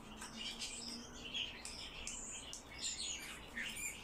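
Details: Kept Eurasian bullfinches (Pyrrhula pyrrhula) give soft, short piping notes among a busy scatter of brighter chirps, with a faint low hum underneath.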